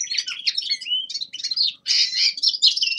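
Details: Young male common linnet in winter, giving a warm-up practice song: short bursts of bright, twittering and buzzy notes with brief pauses, a clear upward whistle in the middle, then a louder, denser chatter.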